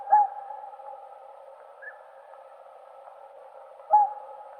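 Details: Two loud trumpeting honks from a Whooper swan (Cygnus cygnus), about four seconds apart, with a fainter higher note between them and a low chorus of distant swans throughout.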